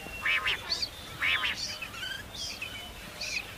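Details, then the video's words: A common quail sings short, liquid, clipped phrases about once a second, with a faint steady high whine behind. "common quail singing"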